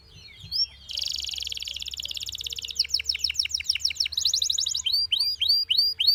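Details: Singing Belgian canary delivering a long buzzy rolling trill that breaks into rapid repeated downslurred notes, then a series of looping whistled slurs, with a faint low hum underneath.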